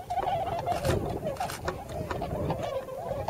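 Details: Tundra swans wintering in the rice paddies of Yasugi, Shimane, Japan, calling shrilly as a flock: a dense jumble of nasal honks with scattered clicks and low background noise.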